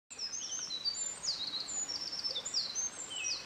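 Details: Eurasian Wren singing close by along a mountain stream on 24 May 2013, competing after a Japanese Thrush began singing in the distance; very high, rapid, tinkling trills and sharp notes pour out without pause over a steady background hiss.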